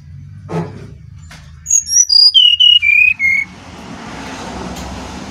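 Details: Brown-chested jungle flycatcher from Bali, fluting song meant as a lure for other birds: a descending run of about eight pure whistled notes, each lower than the last, followed by soft hiss.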